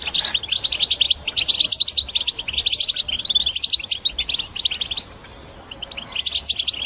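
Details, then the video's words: Batbata song of a European goldfinch, meant to encourage other birds to sing: dense high chirping and buzzy trills for five seconds, a brief quiet gap, then the twittering starts again. "بتبتة حسون الأقوى لتحفيز طيورك على التغريد وكسر الصمت"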